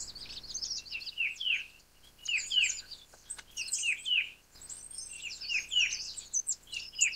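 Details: A Verditer flycatcher sings a rapid, high, jumbled warble of twittering notes and down-slurred chirps, pouring out almost without pause.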